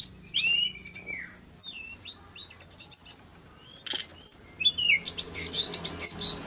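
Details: Male pygmy cupwing: a few high whistles and slurs, a quieter pause, then a fast, buzzy chattering burst of notes, with faint low hum throughout.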